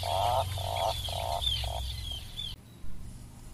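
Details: Atlantic puffin repeating short, nasal, buzzy notes, four in quick succession at about two per second, then falling quiet against low rumbling background noise.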